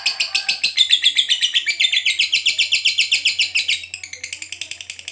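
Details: Long ngekek chattering from a fighter lovebird, meant to provoke other lovebirds to reply: a fast, rasping, high-pitched trill, evenly pulsed at about six notes per second, briefly softening near the end before resuming.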